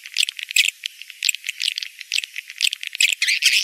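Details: Edible-nest swiftlet call used to lure birds during the rainy-season breeding period: dense, scratchy chattering of rapid buzzy chirps and rattles, several overlapping, continuing without a break.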